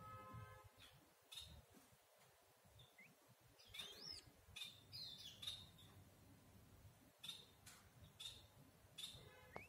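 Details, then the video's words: Red-whiskered bulbul giving short, bright, high chirping notes, repeated irregularly about once a second, some notes with quick upward flicks, against soft background rustle and distant low noise. "Краснощёкий бюльбюль. Red-whiskered bulbul."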